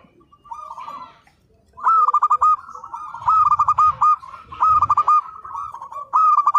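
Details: Zebra dove of local stock in full song for training: a stuttering series of bright coos, each phrase of four or five clipped notes at a steady pitch, repeated about every second and a half, with soft low rumbling behind.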